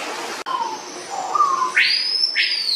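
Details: Swallow tanagers, a male and a female, during courtship while the female processes fruit to store in her throat pouch: a few soft low notes, then two loud arched, sweeping calls rising and falling, about half a second apart.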